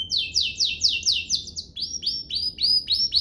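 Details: Canary song for training young canaries: a rhythmic series of buzzy downward-sliding notes, about four per second, then a run of upswept whistled notes.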